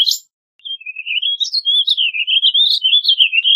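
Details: A warbling vireo delivers a continuous, rapid, run-on warble of slurred up-and-down notes after a brief opening note and pause; no other sounds intrude.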